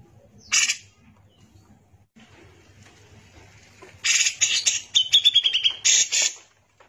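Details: Grey-cheeked bulbul, described as in full vigorous song and sold as a tutor recording for training other songbirds. A lone harsh burst is followed by quiet, then a run of rasping chattering notes and a falling, rapidly trilled series of high notes.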